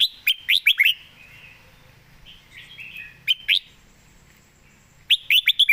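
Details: Red-whiskered bulbul singing calmly from a perch, its song praised as well phrased and quick; three bursts of sharp, liquid whistles, each burst of two to five swooping notes, with low murmuring between.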